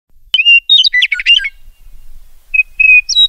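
A meadowlark sings a clear, flute-like phrase: a high slurred whistle, a quick gurgling jumble, then a steady whistle rising at the end. No other sounds.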